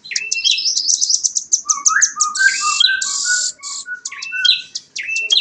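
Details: Young velvet-fronted nuthatch chattering in a busy run of high, sharp notes that mix quick descending whistles with lower short piping notes, phrases tumbling together with a few brief pauses.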